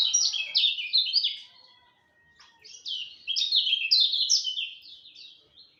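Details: Dawn song of a lemon-bellied white-eye: fast, high, twittering warble of quick down-slurred notes, pausing near two seconds before a second busy burst of chattering phrases.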